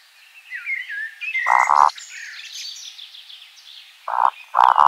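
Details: At nightfall in a spring forest, a Eurasian woodcock flying in display gives low croaking grunts, singly and in pairs. Other birds keep up whistled songs in the background.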